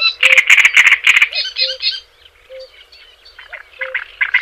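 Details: Java sparrow singing for tutoring other birds: a fast volley of loud, sharp, metallic pulses, then buzzy phrases and quieter scattered chirps, with faint low beeps in the background.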